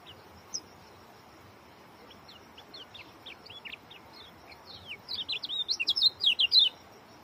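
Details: Oriental white-eye starting with scattered thin, high chips that quicken and swell into a loud, packed burst of slurred whistles near the end.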